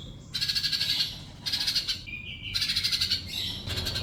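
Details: Four bursts of fast, buzzy, very high trilling from a sunbird, separated by short whistled notes, in a training recording meant to get silent birds to respond.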